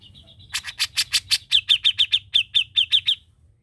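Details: A strong-voiced grey-cheeked bulbul gives a brisk three-second run of loud, bright chirps, first harsher and broader, then cleaner ringing notes, about five per second, ending abruptly.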